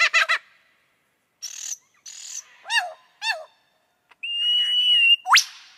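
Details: Lyrebird song mixing varied sounds: a quick rattle of notes, hissy high bursts, two ringing swooping phrases, a long steady whistle and a sharp upward sweep.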